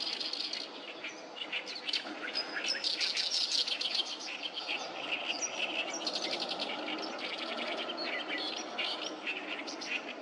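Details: Many oriental reed warblers singing along the Sawatari River on 7 June 2024, a loud, busy chorus of harsh, chattering, grating phrases overlapping continuously, with rapid repeated notes and no pauses.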